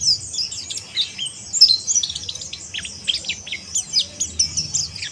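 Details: Harsh chirping of an Oriental white-eye, dense high-pitched scratchy chips and quick downslurred notes in fast irregular bursts, with faint low background hum.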